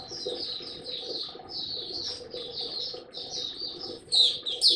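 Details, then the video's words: Maturing male white-eye song, 9 February 2022: a softer, high rippling warble over a background hum, growing louder with sharp bright notes near the end. "Mata Puteh Dagger Video 1 buka sing tiong aw studying his progress n maturing"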